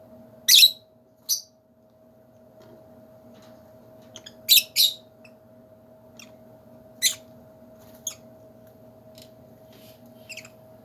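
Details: Several piercing, raspy shrieks from lovebirds in a big cage, some doubled, others single, scattered irregularly, with softer high ticks in between and a steady background hum.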